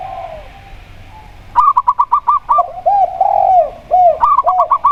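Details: Zebra dove (local perkutut) giving a fast run of short, clear staccato coos, mixed with lower, rounded cooing notes that may come from a second dove, perhaps a spotted dove (tekukur).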